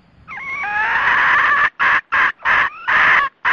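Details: Cock and hen red junglefowl calling their flock, used to draw birds into traps: a long, loud, harsh call with a dipping opening note, followed by five short, rough, harmonic bursts in quick succession.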